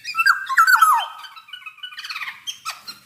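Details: Javan black-naped oriole in full song, giving a pair of mellow descending whistled slurs, then softer twittering and a short final whistle.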